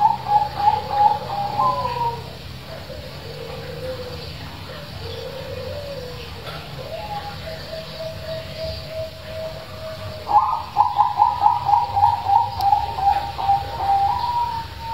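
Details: Loud zebra dove song from local wild and Bangkok stock, used as a lure to get quiet doves singing: rolling, trilled coos repeated in bursts, with soft lower cooing and steady background hum.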